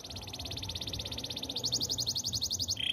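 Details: Spanish timbrado canary training song: a long rapid high rattle of evenly repeated notes that grows louder and slightly higher, ending on a steady mid-pitched tone, over a low background hum.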